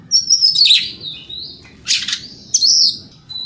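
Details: Oriental magpie-robin morning song aimed at provoking rival birds: three loud bursts of piercing, twisting whistles with scratchy edges, each lasting under a second, separated by quieter pauses.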